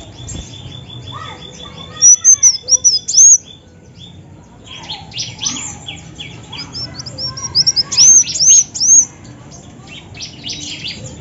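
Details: A female olive-backed sunbird, used as a lure sound, gives two quick bursts of thin, very high, sharply upslurred chips a few seconds apart against a quiet background.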